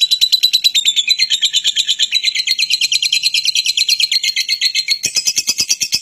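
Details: Fighting lovebird's lure call to set other lovebirds singing longer. A dense, shrill chatter of fast pulses, about six a second, shifts higher in pitch near the end.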